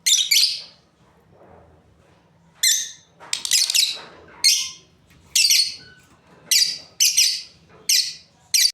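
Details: Breeding pair of lovebirds giving shrill, harsh high chirps in short bursts, about ten in all, with a quiet pause near the start and then calls coming roughly every half second; faint low hum beneath.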